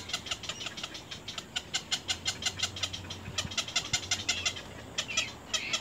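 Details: Little egret chicks at the nest, trying to bite a parent hard, give harsh, rasping begging calls, roughly three each second in an uneven stream, over a low steady hum.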